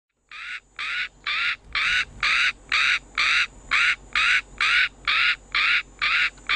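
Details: Northern black korhaan calling in KTP, South Africa: harsh, rasping croaks repeated steadily about twice a second, each a short broad burst, with thirteen in a row and no other clear sounds.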